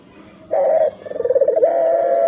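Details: Dove calling as a lure to set off other doves, even mute ones: a loud held low note, a brief dip, then a fast pulsing purr that builds and ends in a long steady tone.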